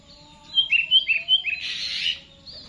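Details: Kept sooty-headed bulbul singing in the full Garuda style: a quick string of bright, chirpy whistled notes that falls into a burst of harsher chatter, over a faint steady hum.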